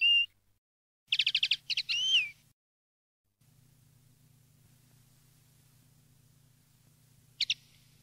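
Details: Campero-style common linnet song for training young linnets: a short whistle, then a burst of rapid twitters and a rising slurred note, a long pause with steady low electrical hum, and one last brief twitter.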